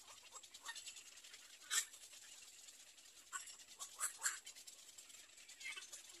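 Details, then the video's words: Little egret chicks waiting at the nest for their mother give a few isolated harsh squawks, with a louder pair near the middle and a quieter hiss between them. "Baby bird little egr 3 waiting for mother"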